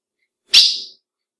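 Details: A single abrupt, high chip from a female ultramarine grosbeak, a call meant to stir up males, fading within half a second against a silent background.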